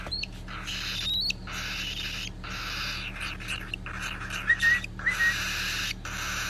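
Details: Cockatiel chicks (Nymphicus hollandicus) give harsh, raspy begging calls in rapid bursts while being hand-fed.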